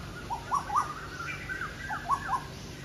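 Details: Several Asian koels (Eudynamys scolopaceus) calling back and forth in the evening in a natural rural setting, 9 July 2022, as if competing in song: short, rising, hollow notes in quick pairs and triplets over a soft rural hum.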